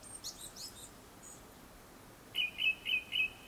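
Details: Japanese thrush singing before sunset: after a moment of faint high notes, four short, clear whistled notes repeat evenly in quick succession.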